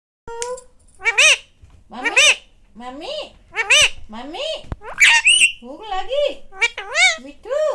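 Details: Pet rose-ringed parakeet talking, saying in Hindi that it is hungry and asking for food: a string of short, squeaky, voice-like phrases in bird-like pitch, each syllable sliding up and down, with brief pauses between.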